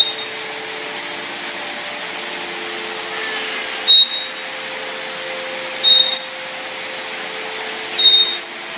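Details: In the morning at Vagamon, Kerala, a migratory large-billed leaf warbler hopping among the leaves gives thin, high whistled notes, a lower note followed by a higher one, about every two seconds over a steady low hum.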